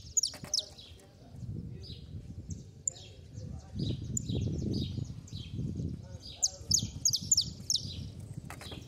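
A canary sings sharp, high, clipped chirps in quick bursts, some notes doubled, over a low background rumble with muffled voices.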